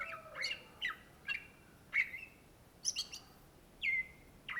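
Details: Indonesian greater green leafbird (Cucak Ijo) in full song: spaced whistled phrases with downward slurs and bright high chips, closing on a longer, smoothly falling whistle.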